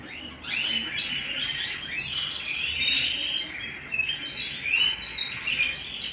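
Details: Singing canary at home, pouring out rapid varied phrases of chirps, trills and upward sweeps that grow louder toward the end, with a faint hum behind.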